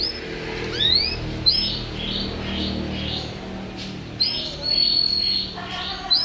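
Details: Lively canary song: a run of varied whistled phrases with upward sweeps, rapid chirps and sustained high notes, with fast twittering near the end over a low steady hum.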